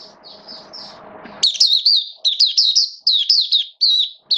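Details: Oriental white-eye, caged, recorded in wet rainy weather on 8 October 2022; after a soft noisy start, loud high sweet twittering phrases begin, bursts of quick slurred whistles repeated every half second.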